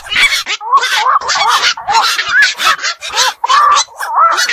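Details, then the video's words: Black-crowned night heron, a bird of fish enclosures, ponds and wetland beels, calling at night: a dense run of harsh, squawking bursts with short rising-and-falling tonal notes, several birds overlapping. "বাকচু পাখির ডাক. নিশি বক এর ডাক. 4 রাত জাগা পাখির ডাক"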